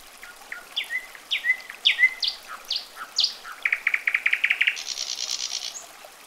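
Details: Common nightingale singing rich phrases: descending whistled slurs building louder, a stuttering rattle of quick notes, then a high grating buzz closing the strophe.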